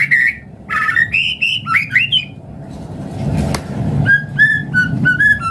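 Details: Lure song of a white-rumped shama meant to prompt other birds to sing: varied whistled phrases stepping up and down, then steadier clear notes after a brief noisy gap, with low hum beneath.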